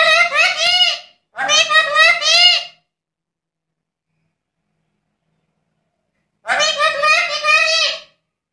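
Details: Black-capped lory in full voice uttering harsh, rasping, strongly layered screeches in two quick bursts, a pause of about four seconds, then another grating burst.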